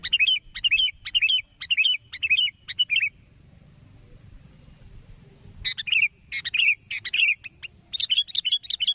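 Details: Sooty-headed bulbul in lively voice calling a rival, as used for bird trapping; bubbly, whistled two-to-three-note phrases repeated about every half second for three seconds, a pause, then a second burst of phrases over a low background rumble.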